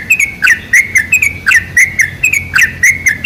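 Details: Sooty-headed bulbul lure song with bright whistled chirps that bend up and down, given in quick pairs and triplets at roughly one phrase per second.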